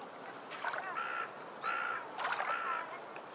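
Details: Seabird calls on a seashore with waves in the background: a series of drawn-out, nasal, slightly wavering cries, three main calls about half a second each, over steady surf noise.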